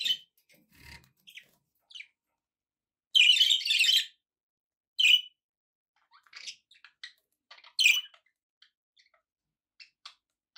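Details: Pet budgies chatter with scattered high chirps and short ticks. A louder, harsh screechy burst lasting almost a second stands out in the middle, followed by more squeaky notes that thin out toward the end.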